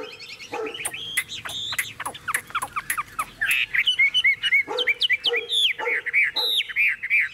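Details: Caged tame Chinese hwamei singing energetically while its cage is carried and shaken. It gives rapid, varied whistled phrases of looping and up-slurred notes, delivered in bursts with short gaps.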